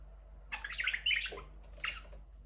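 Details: Budgerigars chirping in an aviary where breeding has begun and the first chick has hatched: two bursts of scratchy, warbled chirps and squawky notes, with a low steady hum beneath.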